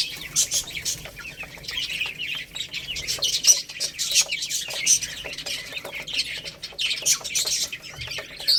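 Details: A cluster of chicks eating rice keeps up irregular high chirps and tweets, with occasional louder peeps rising above the group.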